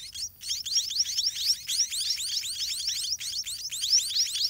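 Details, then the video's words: White-rumped munia chicks begging while parents feed them in a dirty garden nest: dense, continuous high chittering of rapid rising squeaky notes, many overlapping voices, brief lulls. "Parent Birds in Garden Feeding Their Chicks"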